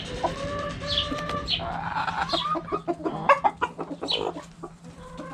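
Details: Backyard hens clucking around a cabbage, several birds calling together: drawn-out tonal clucks and a few high chirps, a sharp louder squawk near the middle, over a constant low hum.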